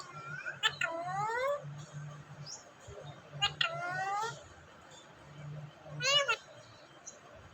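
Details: Parrot kept as a talking pet in Vehari, Punjab, Pakistan, repeating three harsh word-like calls. Each opens with a sharp click and slides downward in stacked tones, about every two and a half seconds, over a constant low hum.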